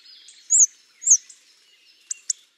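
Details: Hawfinch calls: two thin, high, down-slurred notes about half a second apart, followed by two quick sharp ticks, over a faint hiss of background twittering.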